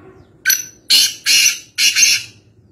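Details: Black francolin recorded in Nawabshah, interior Sindh, Pakistan, giving four harsh, grating notes in quick succession, the last drawn out and rasping, against a faint low background hum.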